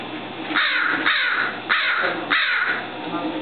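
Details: Captive American crow at the Randall Museum in San Francisco, unable to survive in the wild, cawing at visitors: four harsh, hoarse caws about half a second apart over a steady indoor background hum.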